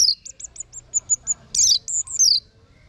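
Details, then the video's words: Orange-headed thrush song in the ngeplong style: a series of short, high, evenly spaced piping notes that fade slightly, followed by a harsh burst and two longer falling whistles, over faint low background hum. "Guru Vokal ANIS MERAH Agar Selalu Ikut Nyaut Ngeplong di Rumah || Masteran dan Pancingan segala ANIS"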